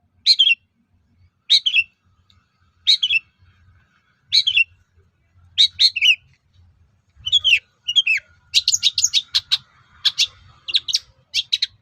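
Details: Long-tailed shrike song used to provoke other shrikes into singing back: paired scratchy phrases repeated every 1.5 seconds, building into a fast burst of sharp, high chattering notes near the end.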